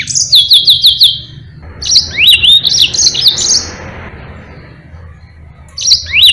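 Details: Yellow-fronted canary in full song, played to tutor other birds: a fast series of repeated high downslurred chips, then rising swoops and twittering notes, a quiet gap and a fresh burst of chips at the end.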